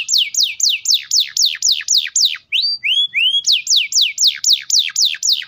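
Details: Rapid canary roll meant to prompt young and silent canaries to answer: loud, evenly repeated descending whistled sweeps about four per second, broken by a few lower rising slurs before the sweeps return.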